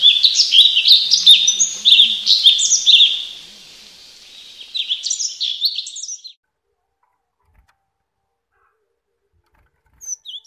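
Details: Cinereous tit song used to coax caged, untrained birds into full singing: quick bursts of high, clipped whistles and chirps for about six seconds, a softer stretch midway, then silence with a brief note at the end.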